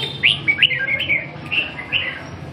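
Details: Red-whiskered bulbul singing during training: a sequence of six or seven bouncy, slurred whistled notes, each rising then falling, spaced about a third of a second apart, over a steady noisy background.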